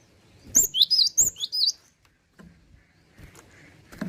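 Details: Gacor cinereous tit singing loud, piercing high chirps in a rapid run of about seven notes, with bright two-part phrases over roughly 1.3 seconds, followed by quiet knocking and soft low clicks.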